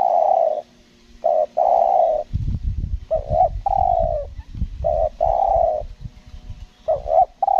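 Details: Lombok trapping-decoy spotted dove delivering a stuttering coo, long steady coos alternating with short clipped doubled notes, while low rustling and knocking noise rises through the middle of the stretch.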